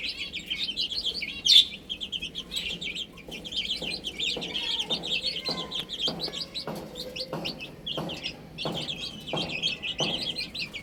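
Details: Chicks eating and drinking peep constantly in a high overlapping chorus. Pecking taps sound about every half second, with one sharp click early on.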